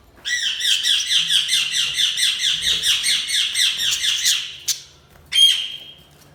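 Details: Budgies chattering in a fast run of harsh, high chirps, about four per second, ending with two sharp, louder squawks after a brief gap.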